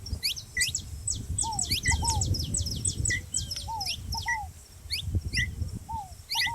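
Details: Saffron finch noisy together with a ground dove: dense runs of sharp, high, quick chirps and short rising notes, with occasional clear down-slurred calls lower in pitch, over a constant low rumble.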